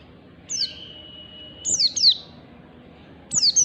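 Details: Oriental white-eye morning song used as a training tutor for pet birds in the ngalas style: three bursts of sharp, high whistles falling steeply in pitch. A long, steady, thin whistle runs between the first and second bursts.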